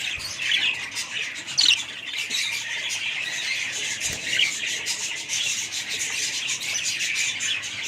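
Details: Several budgerigars from a family group chattering together: busy, scratchy warbling and rapid squawks without pause, with one louder burst of calls early on.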